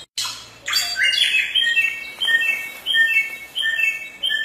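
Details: Samyong singing in the forest, starting with a rough, noisy burst, then a series of clear, ringing two-part whistled phrases repeated roughly every half second.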